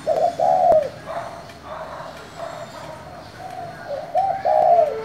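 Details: Spotted dove giving its 'thổ'-style call to provoke other doves; a loud cooing phrase opens and another closes the stretch, with fainter, softer coos and faint chirps in between against background hiss.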